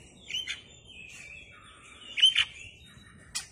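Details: Oriental magpie-robin with its tail spread, giving sparse song. Thin, drawn-out whistles are broken by a few sharp, harsh notes, and a lower warbled note sits in the middle. Quieter pauses fall between the notes.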